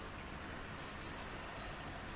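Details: Eurasian blue tit in early spring, loudly announcing its territory from a tree branch near its nest hollow: a very high, thin note followed by a rapid, descending, silvery trill.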